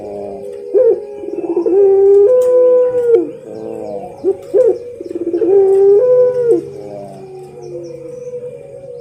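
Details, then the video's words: Repeated coo phrases from a champion pelung ring-necked dove kept as a training master: each begins with a clipped note, rises to a held tone and drops away, with rolling bubbly notes between them. "MASTERAN SUARA BURUNG PUTER PELUNG JUARALANGSUNG RESPON"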